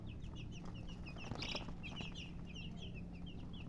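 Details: Busy high peeping from colored chickens, quick thin chirps crowding together, one louder burst midway, all over a low steady hum.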